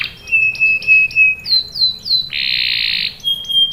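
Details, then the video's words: Canary lure song: a held thin whistle, a few sliding chirps, then a loud harsh buzz and another pure whistle, all high-pitched and clean. "PANCINGAN KENARI GACOR CUIT CUIT memancing kenari paud ikut BUNYI | CANARY SINGING"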